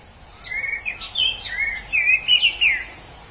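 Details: A wild orange-headed thrush sings a quick run of varied, sweet warbled and whistled phrases, sliding up and down in a mid-high register, over faint background hiss.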